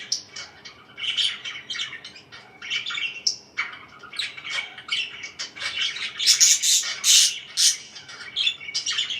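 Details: Parakeets chirping in a lively chorus of dense, overlapping high chirps and short squawks, with bursts growing louder and busier toward the end, heard indoors.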